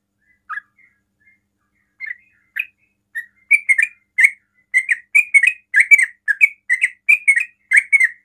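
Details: Sooty-headed bulbul singing fast to provoke other bulbuls into answering; sparse short notes at first, then a rapid run of bright chirpy phrases repeated several times a second over a clean, quiet background.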